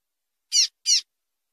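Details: Two harsh, buzzy, high notes a third of a second apart from a female Double-collared seedeater, a call used to stir males into singing.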